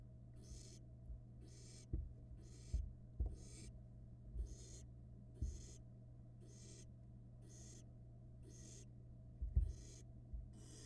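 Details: Barn owl nestling in a Florida nest box, filmed by a live camera during a 2022 trial flight; a long series of short, rasping hisses repeated about every 0.8 seconds, with occasional thumps and a constant low hum.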